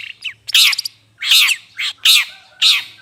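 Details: Long-tailed shrike lure recording used to attract birds: harsh, raspy squawking notes with hoarse buzzy overtones, repeated irregularly at about one per second, interspersed with short sharp chips.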